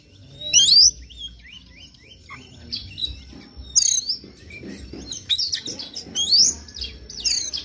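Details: Morning white-rumped shama song used to provoke another bird into singing: sharp rising whistles and quick buzzy phrases in loud bursts, with softer twittering between them and a low background rumble.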